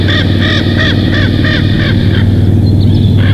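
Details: Bald eagle on its nest at Big Bear Valley, live cam recording from 19 July 2023, 21:19; a short burst of six high arched piping notes, then trailing off, with a deep steady hum throughout.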